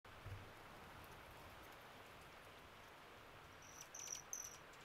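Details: Broad-billed hummingbird at Beatty's Guest Ranch near Sierra Vista, Arizona, on 26 April 2024, giving three short, high, dry chips near the end, over a steady hiss of insects or light rain.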